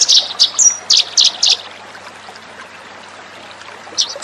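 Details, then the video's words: Eurasian tree sparrow lure call used to attract birds: a quick run of sharp, high chirps in the first second and a half, a short thin whistle, then a pause before two more chirps at the end. "suara pikat burung gereja"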